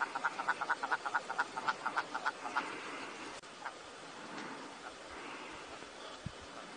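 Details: Willow ptarmigan calling: a quick run of about a dozen dry, nasal, stuttering notes over under three seconds, loudest at the start and fading, followed by quiet background hiss with a few faint stray sounds.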